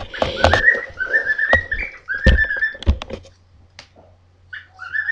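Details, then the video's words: Two pet birds indoors; one whistles its song while running around the room and the other follows, bashing its beak on the floor. Short wavering whistled phrases mixed with sharp knocking taps and a low room hum. "Jimmy & Jasper whistling their song"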